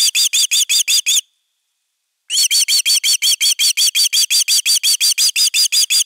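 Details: Osprey at nest #3 in Finland on 31 August 2021, defending its nest, recorded by a live nest camera; a rapid, evenly spaced run of sharp, high whistled chirps breaks off for about a second, then resumes steadily.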